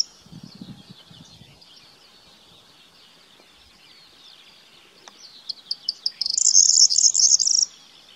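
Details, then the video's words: Corn bunting singing after a long quiet stretch with faint background hiss and low murmurs: short ticks quicken into a loud, high, rattling, jingling flourish near the end. "Corn Bunting Call, Grauammer gesang, Bruant proyer chant, Kornsparv läte"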